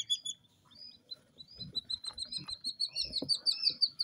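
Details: Jungle bush quail chicks only two days old, captive in the UK, uttering quick high piping notes that start sparse and then run together, several birds overlapping, with soft scratching and pecking noises.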